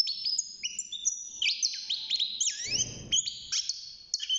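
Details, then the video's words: Young European goldfinch in a cage, six months old and starting to sing: high sustained whistles and sliding notes woven with quick chirps, plus a brief low rumble midway. "الحسون بعد مرور ستة شهور أصبح يغرد"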